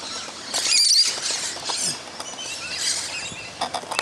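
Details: A feeding flock of musk lorikeets in a fruit tree in the morning, a steady wash of thin shrill squeals and chattering, with a few louder screeches near the start.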